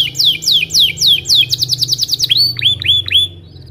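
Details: Belgian canary morning song for tutoring young birds: a run of descending whistled notes repeated about four per second, a brief rapid trill, then upward-hooked whistles fading off.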